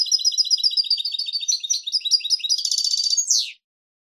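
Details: Continuous European goldfinch song from a recorded song tape: a long run of quick liquid twitters that speeds into a dense buzzy rattle and ends in a downward slurred note. The background is clean.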